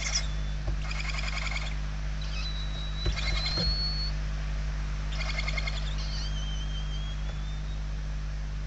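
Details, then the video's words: Hungry barn owl chicks inside a nest in Spain, recorded 28 November 2023. Several raspy, pulsed hissing bursts about a second long come at irregular intervals, with thin whistled tones drifting between them over a steady low hum. "Lechuza común - [Interior]- Płomykówki"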